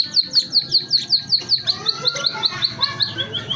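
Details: Caged munia (emprit) singing a song said to carry a zebra dove and canary flavour: a rapid, even series of sharp high chirps, about three per second, then softer warbled notes, with low background murmur.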